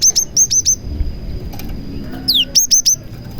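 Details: Cinereous tit song carrying copied prenjak phrases, used as a lure for other tits; crisp high chips in quick pairs and triplets, one long downslurred whistle, then more chips.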